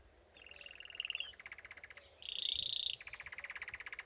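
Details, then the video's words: Bathing canary at a birdbath sings a chain of trills: a whistled rolling tour, a lower fast trill, a loud bright steady trill, then another rapid trill of repeated notes. "Birdbath Canary"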